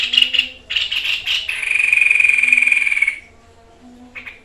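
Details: Singing white-chested babbler in 'tembakan maut' style, a training recording: a few scratchy bursts lead into a long, even, buzzy trill lasting about one and a half seconds, followed by one short rasp.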